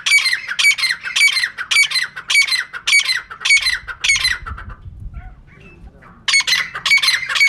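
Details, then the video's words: A female francolin (teetar), used as a lure for trapping birds, gives a fast run of harsh, grating calls about two per second. It breaks off for roughly two seconds, then resumes the same squawking rhythm. "Female Teetar ka clear and saaf awaz"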